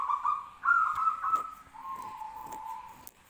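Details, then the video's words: Two zebra doves calling back and forth: a soft rolling trill, then a brighter, slightly higher trill, then a lower, quieter trill that keeps going. Faint clicks sound in the background. "suara perkutut bersautan"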